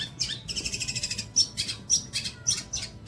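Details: Long-tailed shrike training song for songbirds: a rapid buzzy trill followed by spaced, loud scratchy notes, each topped with a short high whistle.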